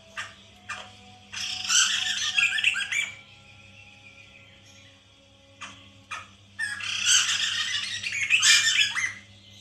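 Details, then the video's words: Lure recording of white-crested laughingthrush to get caged birds calling: two long bursts of loud, raspy, jumbled cackling separated by a quiet gap with a few sharp chips, over constant low hum. "pancingan Poksay mantel agar bunyi"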